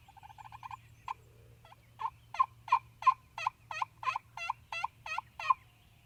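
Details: Mississippi gobbler country on a spring hunt, turkeys vocal on the roost and ground at dawn: fast stuttering rattle, a pause with single clucks, then a long even run of loud, raspy yelping notes about three per second.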